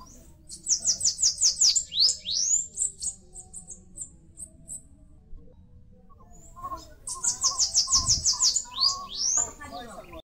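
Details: Bananaquit, known locally as caga-sebo, sibite or chupa-caju, singing in northeastern Brazil while building a nest in a mandacaru cactus: rapid series of high, sharp buzzy notes repeated in two bursts, with lower chirps and faint background noise.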